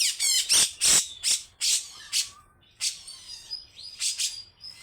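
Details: Grey-cheeked bulbul giving loud harsh chips and buzzy bursts, mixed with a few thin whistled notes, spaced roughly every half second.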